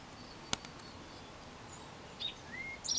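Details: Backyard male Eastern towhee delivering his "drink-your-tea" mating song, first heard singing after lingering since April 22nd: a brief high note and a lower clear whistle lead into a rapid trill that is cut off at the end. A sharp click sounds early.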